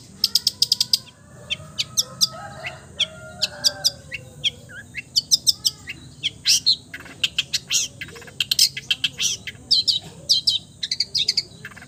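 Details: Long-tailed shrike, said to mimic all sorts of birds, singing a long, varied medley of high chips, quick trills, clicks and slurred notes with short pauses, some lower warbled sounds mixed in.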